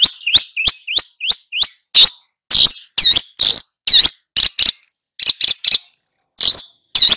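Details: Long-tailed shrike in full song, tutoring two young birds: a run of sharp upslurred whistles followed by loud, buzzy, looping notes and grating chips, with a short high whistle near the end.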